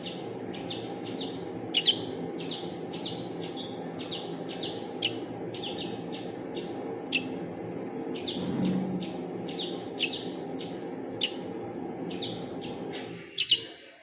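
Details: Fledgling common linnet uttering a long, fairly regular sequence of high, clipped chirps, several per second at times, over a continuous low hum that drops off near the end.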